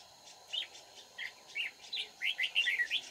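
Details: Red-whiskered bulbul used as a decoy in trapping, Dong Nai, Vietnam, 31 March 2019: sparse, then quickening chirpy warbled notes, a steady background hiss throughout.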